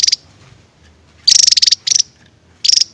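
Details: Javan tesia 'tembakan' song: three short high-pitched buzzy trill bursts of rapid pulses with quiet pauses between.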